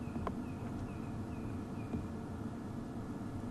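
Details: Faint, thin piping whistles from a Red-crested Korhaan in the background of a 5 January sunset safari drive near zebras, about five notes roughly every half second, over a steady low rumble of wind or engine.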